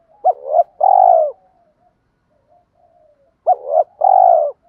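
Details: Provoking call of a spotted dove decoy. Two phrases about three seconds apart, each a quick rising note and a warbled part followed by a long, smooth, falling coo. Soft faint notes trail after the phrases.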